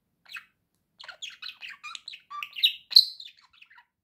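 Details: Rapid budgerigar warble: a fast run of scratchy chirps and clicks that builds to a louder squeak, then tails off into soft twitters.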